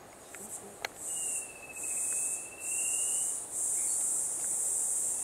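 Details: Rufous-capped antthrush recorded 3/3/16, giving a single level beaded trill of rapid whistled notes lasting about two seconds, over loud high buzzing insects and a few clicks.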